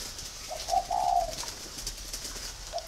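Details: A captive-bred male spotted dove of Thai stock, sex confirmed by pairing, gives a soft, low coo phrase lasting about a second, with a faint further note near the end, over steady background hiss.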